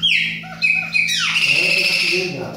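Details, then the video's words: Young chopi blackbird learning its song. Loud, clear whistled notes slide downward, then give way to a harsh, buzzy squawking phrase held for more than a second. "PÁSSARO PRETO APRENDIZ !"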